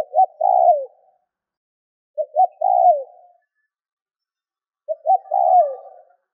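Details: Spotted dove call played to stimulate other doves to call: three phrases roughly every 2.5 seconds, each two clipped coos and a long falling croo, with a faint thin tone near the last phrase.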